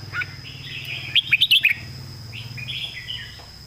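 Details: Competition red-whiskered bulbul in a cage giving a rich, full-bodied master song phrase of warbled whistles, broken by a quick series of sharp ticks, over a constant thin high tone and low hum.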